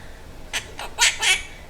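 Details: Pet Quaker parrot talking indoors, giving four short, harsh, breathy syllables in about a second, the last two loudest, in quick succession after its owner says quack and asks the duck to go quack.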